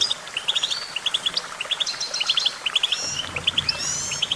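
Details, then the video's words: Tinkling goldfinch twitter: runs of crisp, high chirps in tight groups of two to four, with a wheezy, rising buzz toward the end, all fairly close and clear. "goldfinch songbird prowess"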